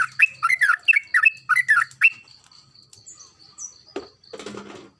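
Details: Lively sooty-headed bulbul song meant as a lure for reluctant singers: rapid, warbling, bubbly notes tumbling for two seconds, then a steady high thin tone with faint chirps and a brief low knock near the end.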